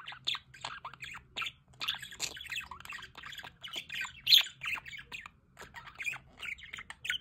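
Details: A group of budgerigars by a solar water fountain, giving busy warbling chatter of short rising and falling notes, with a loud shrill squawk near four seconds and brief quieter gaps.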